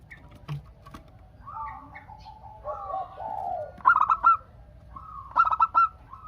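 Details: Local zebra dove, a lively singer, cooing to prompt other doves to answer: two bursts of rapid, staccato, husky coos, with softer drawn-out cooing and faint chatter from other birds between them.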